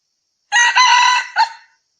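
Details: Red junglefowl crowing, one loud harmonic-rich crow with a sustained middle note and a short final syllable, about one second long, with no other sounds.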